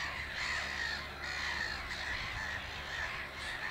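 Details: Black-headed gull colony noise at Naturum by Lake Hornborga (Hornborgasjön) while a bird preens between nest building: rasping, slightly nasal calls overlapping continuously, with short drawn-out cries repeating through the din, faint low hum behind.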